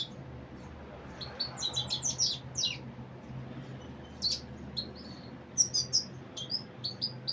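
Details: Common Iora, locally Saira: scattered high chirps and short twittering clusters, some in quick pairs, separated by brief gaps over faint background hum.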